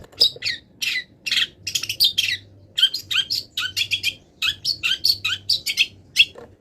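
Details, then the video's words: Molting long-tailed shrike delivering mimicry-filled song: a rapid, varied stream of high chirps and raspy notes in short clusters, barely pausing throughout. "MASTERAN CENDET FULL ISIAN BURUNG LIAR"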